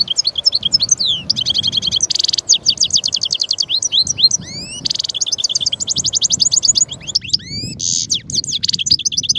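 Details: Lively European goldfinch song, Carduelis carduelis, a continuous stream of bright twittering and tinkling notes mixed with rasping buzzy bursts and upward-sweeping whistles, sustained for over nine seconds.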